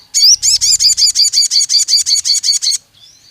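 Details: Agitated pied fantail, a long lure song meant to provoke rivals: about thirteen loud, squeaky, rapidly repeated chirping notes, each sweeping up and down, delivered at an even pace for under three seconds, then a faint trailing note.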